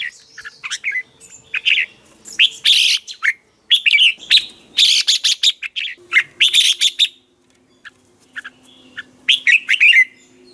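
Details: Red-whiskered bulbul in the morning, giving the 'ché' style of song used as decoy song for training birds: bright, chirpy phrases of sharp rising and falling notes in bursts, with brief pauses and a faint low hum.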